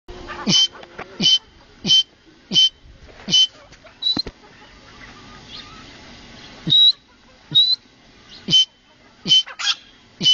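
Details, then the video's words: Grey francolin calling in Pakistan: loud, harsh, broadband notes, each with a thin whistled tone, repeated roughly every half second to second, with a short pause midway and faint background hiss. "titer calling"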